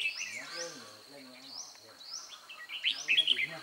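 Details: Red-whiskered bulbul used as a decoy during trapping on 11 March 2020, singing to challenge rivals: a quick burst of bright chirped notes near the end, after a stretch of repeated rising sweeps and a steady insect-like hum.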